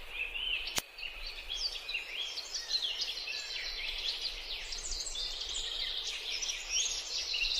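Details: Bay-headed tanager (Tangara gyrola) in Bogor, Indonesia: a steady stream of thin, high, sharp twittering notes, overlapping as though from several birds, with a single sharp click early on.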